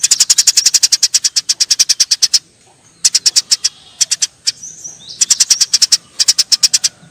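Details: Eurasian tree sparrows in a fight let out a rapid burst of some twenty sharp chirps, then shorter chirp groups separated by brief pauses.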